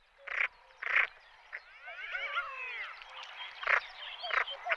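Common pochard giving short, harsh, rasping croaks in irregular bursts, with a busy stretch of faint, curving whistled notes from other waterbirds in the middle.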